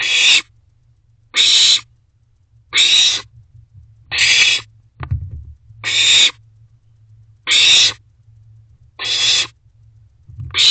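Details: Owlet in a nest box at night, 26 June 2023, around 10:22 pm, eating a rodent its mother just delivered; harsh, broadband hissing screeches about half a second long, repeated roughly every 1.4 seconds, with a low hum underneath.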